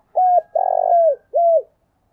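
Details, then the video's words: Spotted dove calling to rouse other doves: a short arched coo, then a longer phrase starting with a fast fluttering trill and easing into a steady tone, closed by another brief arched coo, low-pitched and clear. "cu gáy kích bổi nhanh nổi giọng thổ"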